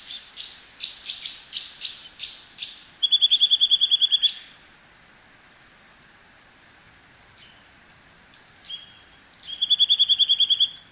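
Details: Eurasian nuthatch in Japan: a run of quick, softer notes, then a loud rapid trill of identical whistled notes about a second long, a quiet spell with a few faint calls, and another fast trill.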